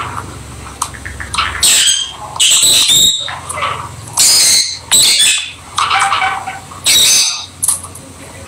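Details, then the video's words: Peach-faced, or rosy-faced, lovebirds playing together as pets: loud harsh screeching squawks in bursts about a second long, broken by brief quiet spells, with a low hum underneath. "Lovely Lovebird Noise Peach faced Lovebird and Rosy faced Lovebird"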